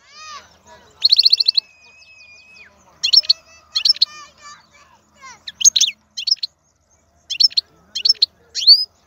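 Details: Wild European goldfinch singing: sparse, spaced phrases of high twittering notes, with one long, steady, thin whistle in between, and short buzzy trills separated by brief pauses.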